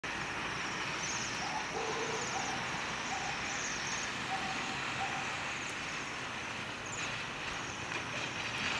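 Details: Bohemian waxwings (Bombycilla garrulus) at Dolný Kubín, Slovakia, give soft, high, sibilant trilled calls, several in quick succession, over a steady rushing traffic-like background and faint lower notes.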